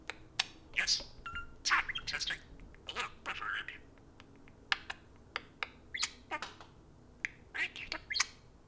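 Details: Two pet parakeets take turns talking to a spoon: sharp clicks and short bursts of scratchy, buzzy chatter with a few brief whistled notes, separated by short pauses, in a quiet indoor room.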